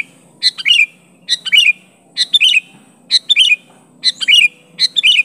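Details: Sooty-headed bulbul calling to face down a rival, no mimicry: six brisk phrases at roughly one per second, each a quick chattering cluster of bright notes finishing in a downward slur, with faint low hum.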